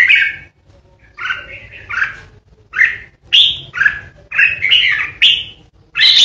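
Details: Red-whiskered bulbul, caged lure bird, singing a steady string of short, bright, bubbling phrases in 'ché' style used to intimidate opponents, nearly continuous with brief gaps, over a soft low hum.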